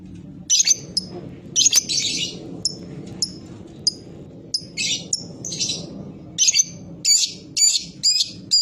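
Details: High, scratchy lovebird chirps and short rasping chatters come in irregular clusters, growing busier toward the end, against a low droning background.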